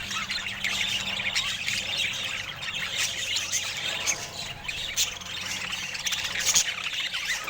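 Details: Several rare budgerigars, recorded in natural Scandinavian light with no speech or music, keep up a continuous twittering warble mixed with short squawks and sharp clicks, plus a faint low hum.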